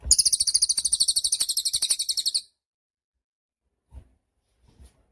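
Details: High, fast-pulsed trill from a cililin, roughly two and a half seconds of rapid repeated notes, then silence broken only by two faint low knocks; a recording meant for training songbirds.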